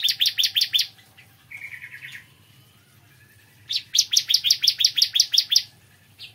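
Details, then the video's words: Bar-winged prinia singing in the morning: two rapid bursts of clipped, high double notes, joined by a softer, lower buzzy trill, the second burst of about twelve notes; faint hum underneath. "Kicauan Ciblek Kristal Dipagi Hari"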